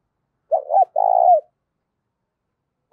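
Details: One loud, clear phrase from a spotted dove for stirring up decoy doves: two brief clipped notes, then a sustained, slightly wavering mid-pitched coo. Quiet background, with the next phrase just starting at the end.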